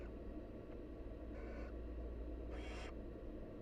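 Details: Barn owl nestlings in the wild begging while their mother feeds them; one soft breathy hiss followed by a louder harsh rasp a second later, over a steady low rumble.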